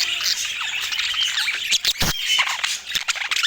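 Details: Budgerigars chattering together: dense, scratchy warbling and chirps crowd the upper range, with quick squawks and one loud broadband burst near the middle.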